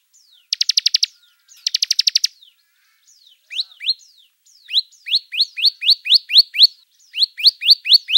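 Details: Bar-winged prinia in lively song: two rapid buzzy clicking trills, each about half a second, followed by a long, steady series of bright upslurred whistled notes repeated roughly four times per second; no other sounds.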